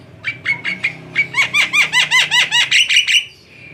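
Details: Javan myna singing, recorded for use as a lure: a fast run of short whistled notes that builds into about a dozen looping, downward-sweeping phrases, each rising slightly at the end, close together and bright.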